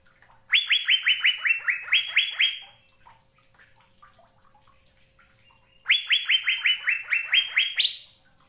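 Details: Asian fairy-bluebird training recording for caged birds: two bursts of quick upsweeping whistles, about ten notes each, the second ending on a higher note, with quiet between them.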